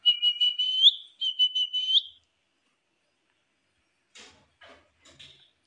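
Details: Talking pet Indian ringneck parakeet: a run of clear high whistles in two bursts with a rising flick at the end of each, followed after a pause by a few soft clicking notes.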